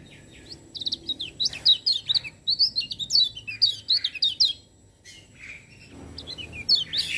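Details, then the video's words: Lemon-bellied white-eye singing vigorously while other birds join in. Fast series of high, clear, slurred chirps for about four seconds, a brief lull, then more scattered high notes and twitters. "Kecial Kuning Gacor Dengar Suara Kecial Kuning Ini Burung Lain Pada Ikut Bunyi"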